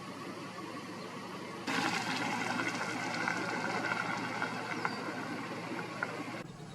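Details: A steady broadband rush like running water or a passing engine cuts in and out, with no clear animal voice.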